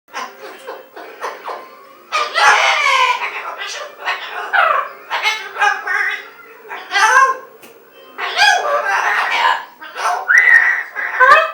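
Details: A pet umbrella cockatoo, trying to call its owner from another room, babbles in speech-like phrases mixed with cackling, laugh-like bursts and a few squeaky whistles, indoors.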